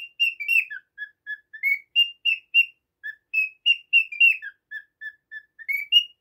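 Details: Household cockatiel producing a lively series of clean, piping chirps, high notes alternating with dropping and level lower ones, three to four each second.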